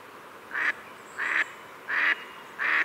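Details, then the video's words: Four loud, drawn-out rasping quacks from a Pacific black duck, evenly spaced about every 0.7 seconds against a noisy background. "Pacific Black Duck Call Song Sound"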